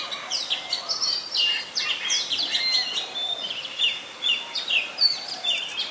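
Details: Oriental magpie-robin in full song at Ubon Ratchathani, Thailand, 3 February 2023, filmed with a Nikon P1000: loud clear whistles, trills and sharp chips strung together irregularly, roughly two phrases per second.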